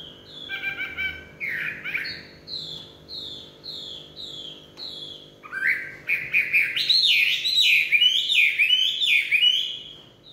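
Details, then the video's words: Chinese hwamei in evening song: a series of clear descending whistles about twice a second, then a fuller, louder run of rich, varied warbled phrases with rising and falling slurs. "họa mi hót tối"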